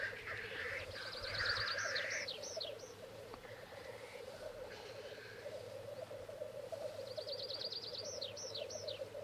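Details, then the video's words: Black grouse males courting and fighting at a lek to win females, filmed with Sony and Canon EOS 7D cameras: steady low bubbling rookooing throughout, with loud sneezing hisses near the start, and small birds' fast repeated trills at two points. "corteggiamenti accoppiamento dei galli forcelli in arena"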